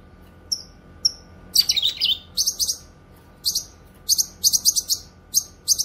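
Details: Cucak kinoy, the grey-cheeked bulbul, singing on a track for training caged songbirds and luring wild ones: two thin downward whistles open, then a fast tumbling jumble of high chirps and paired shrill notes.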